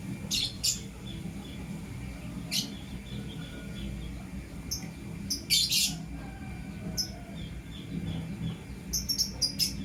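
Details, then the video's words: Blue opaline and green personata lovebirds in the morning give sharp, scratchy high chirps in scattered bursts, some doubled, with quiet gaps between and a constant low background hum. "Lovebird Chirping Sounds in Love"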